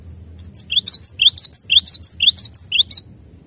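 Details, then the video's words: Cinereous tit giving a clear tutor song: about a dozen sharp, high whistled notes in quick paired phrases, each dropping in pitch, roughly two per second for two and a half seconds, over a steady faint high whine and low rumble. "MASTERAN JERNIH GLATIK BATU"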